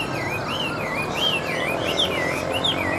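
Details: A captive, well-tamed Chinese hwamei sings while held on a hand or set on a table, a continuous run of looping, slurred whistles that rise and fall about twice a second, over a steady background hiss.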